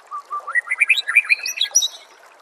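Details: Fast, varied phrase from a white-rumped shama on a songbird training recording, starting with two low whistles and then climbing through a rapid tumble of bright, rising and falling notes that end high and thin.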